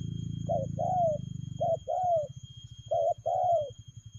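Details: Spotted dove cooing in a fast, rapid "lèo gù" style: three paired phrases, each a short clipped note and then a longer, downward-sliding coo, with a low droning hum underneath for the first two seconds.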